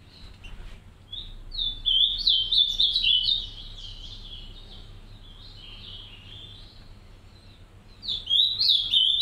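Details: Green-winged saltator pair caring for three chicks in an aviary; bursts of rapid, high twittering notes run together for about two seconds, a quiet gap, then another burst near the end, over low background hum.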